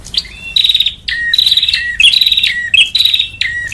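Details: Bar-winged prinia used as a bird-trapping lure, giving a rapid series of high buzzy trilled phrases, each ending in a lower downslurred whistle, repeated about every 0.7 seconds without pause.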